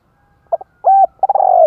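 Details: Spotted dove cooing to stimulate males: two short soft notes, then a longer mellow coo, followed by a quick stuttering run of low hollow notes that slides gently downward.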